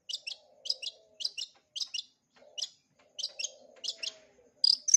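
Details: Long-tailed shrike, full repertoire played for young birds to learn: sharp doubled chirps repeated about every half second, bright and high, ending in a thin whistled note, with a faint low hum underneath.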